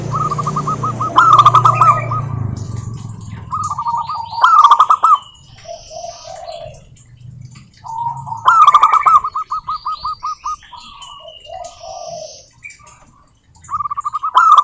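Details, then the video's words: Zebra doves of a local strain, singing to encourage other doves to sing: repeated staccato phrases of short cooing notes, rising into dense bursts, alternating with quieter gaps and faint chirping of other birds. "Suara Burung Perkutut Lokal Gacor OBAT MACET BUNYI, pancingan perkutut agar bunyi jamin NYAUT EMOSI"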